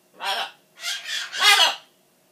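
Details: Pet macaw indoors shouting in a farewell tantrum, thinking its owner is leaving. Three quick, loud, hoarse speech-like syllables in a row, the last one strongest and most strained, like a yelled 'buh bye'.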